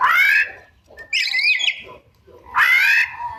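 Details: Oriental magpie-robin singing with mimicked inserts: two loud, rich rising whistles with strong overtones, separated by a higher twisting warbled phrase.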